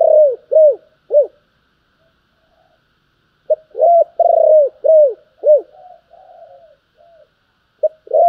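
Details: Spotted dove urging coo style: a fast series of short, arched, falling coos, seven or eight notes in quick bursts, with softer low coos and a brief pause between runs.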